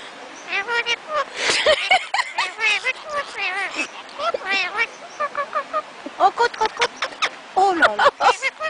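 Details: Parrots talking together while kissing, a nearly continuous stream of chattering, speech-like syllables with warbling, bending pitch and a few sharper squawk-like notes.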